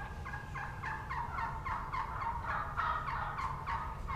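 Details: Wild turkey jakes on the ground below a hen still on the limb, spring 2017; a steady rapid string of about a dozen coarse yelps, rising slightly in loudness toward the end.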